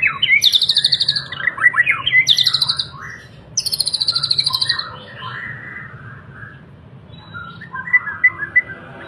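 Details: Captive Borneo white-rumped shama singing during an energetic bowing display: loud bursts of varied whistles and rapid high chattering notes, repeated in short phrases separated by brief pauses, with a faint low background hum.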